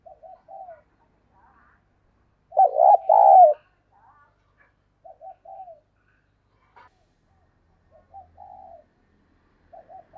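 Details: Soft, scattered cooing notes from a decoy spotted dove calling to provoke a rival. Midway there is one loud, throbbing double coo burst, then more quiet, spaced coos.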